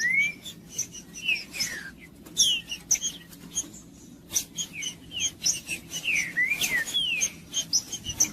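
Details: Green-winged saltator song for warming up a cold bird: scattered falling whistled notes, some rising then dropping, interleaved with frequent sharp clicks and ticks.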